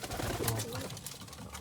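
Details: A pigeon in the afternoon gives a low, soft, throaty coo that swells briefly, against a muffled, hissy indoor background.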